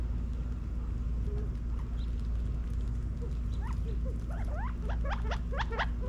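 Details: California quail foraging in a back yard in Las Vegas, Nevada, fall 2022. Scattered soft notes early, then a quickening run of sharp rising chirps packed into the last two seconds, above a low steady hum.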